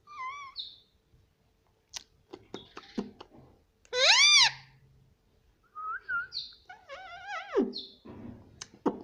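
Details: Talking pet Indian ringneck parrot in a small room, repeating "mummy": wavering whistled notes, clicks, one loud arched harmonic phrase, then a run of rapid warbling, speech-like syllables.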